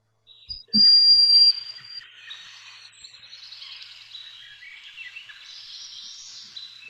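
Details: Broad-winged Hawk on the forested Kittatinny Ridge, Pennsylvania, gives its thin, very high, steady whistle lasting under a second. The species nests in dense deciduous forest. Soft twittering from other birds follows in the background.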